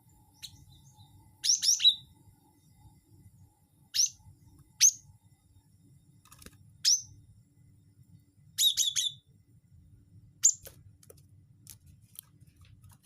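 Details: Wingko-type cinereous tit call used for luring birds: two rapid chirp phrases with a lower closing note, interspersed with single sharp high notes spaced a second or two apart.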